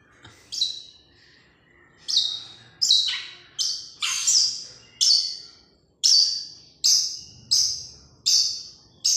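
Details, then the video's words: Long-tailed shrike giving a series of about twelve sharp, high, downward-sliding notes, each fading quickly, repeated a little under once a second after a brief pause near the start. "cendet Recing"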